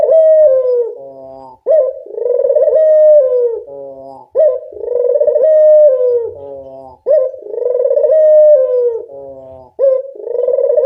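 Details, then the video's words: Local puter dove's lure call: four long, rich coos in close sequence, each opening with a quick upward note and then sliding slowly downward, delivered at a steady rhythm. "Pancingan burung puter lokal"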